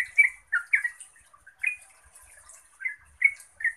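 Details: Yellow-vented bulbul singing to provoke answering song from other bulbuls: scattered bubbly chirps and short warbled notes with gaps between, some faint quieter notes in the background.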